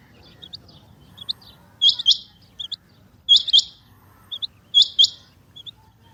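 Female rain quail giving sharp, high, doubled 'whit-whit' notes about every one and a half seconds, with soft chirps between; quiet background.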